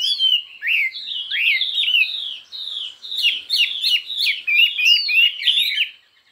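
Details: Chinese hwamei in contest singing with many voices, intense and fiery: a rich, continuous run of loud slurred whistles, rising and falling phrases packed closely together, with sharp high notes sprinkled through the second half.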